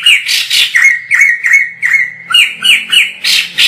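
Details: White-crested laughingthrush singing vigorously, filmed from a distance, as tutor song for training other birds: a rapid series of ringing notes near one pitch, about three per second, each with a downward slur, mixed with harsh broadband rasps at start and end.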